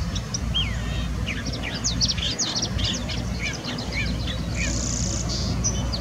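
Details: California thrasher singing at Irvine Regional Park on May 20, 2020: a rapid, varied run of sharp chirps, slurred whistles and scratchy high notes over a steady low rumble of wind or distant traffic.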